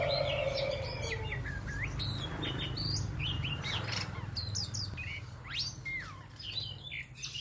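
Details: Oriental magpie-robin singing a varied run of short whistled and slurred notes, some rising, some falling, delivered in quick succession over a steady low hum and rustling background.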